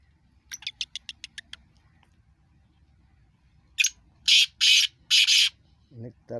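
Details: Two black francolins calling: a quick series of short dry clicks, then after a pause a few loud, harsh, grating notes in rhythm, followed by a low, muffled voice-like sound at the end.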